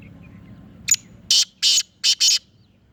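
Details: Black francolin of the Sindhi Chirnga strain calling: a thin high note, then four loud harsh rasping bursts in quick succession, the last two closely paired. A quiet low hum runs underneath.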